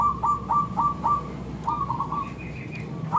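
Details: Lure song of a local zebra dove, thick and clear-toned, meant to prompt other doves to respond: evenly spaced, bouncing coo notes about four per second, with a fainter higher note or two late on and steady low hum.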